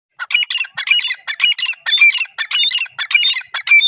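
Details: Grey francolin calling: loud, harsh, high-pitched notes in rapid, ragged bursts, repeated almost without pause, with no other clear sounds.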